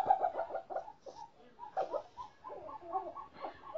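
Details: Snowcocks caught a month and a half ago and kept captive, now starting to sing, utter an uneven run of short, mid-pitched clucks in small clusters.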